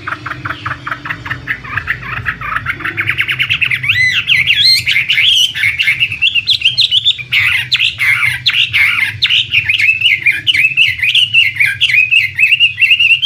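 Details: Imported Chinese hwamei, a prized contest bird, delivers a long, continuous, fast warbling song of varied whistled and chattered notes that grows louder after a few seconds, with a steady low electrical hum behind it.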